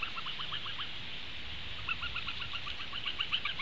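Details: Young Eurasian bitterns at a Latvian nest, 6 June 2015, leaving the nest and returning: rapid series of short, downslurred nasal notes in two bursts over steady broadband background hiss.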